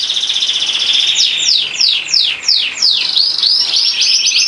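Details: A frill canary (Serinus canaria) sings a long, unbroken run of high, rapid trills, with quick downward-sliding notes woven through the rolling song.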